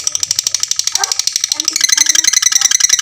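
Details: Fighter lovebird ngekek meant as a master for other lovebirds: quick rattling high chatter, a brief lower warbled note near the middle, then a shriller, brighter pulsed trill to the end.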